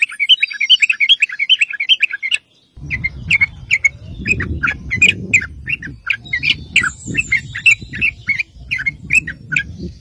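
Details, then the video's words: Sooty-headed bulbul singing vigorously as a lure for other bulbuls: a rapid string of bubbly chirps, a brief break, then steadier repeated sharp notes over persistent low rumbling noise. "PANCINGAN TRUCUK GACOR NGEROPEL"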